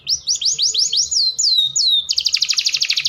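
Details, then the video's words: Canary song used to arouse males for breeding: rising and falling whistled sweeps repeated rhythmically, ending in a rapid high trill. "Kicauan Kenari Kawin Paling Ampuh Menaikkan Birahi Pejantan Loyo"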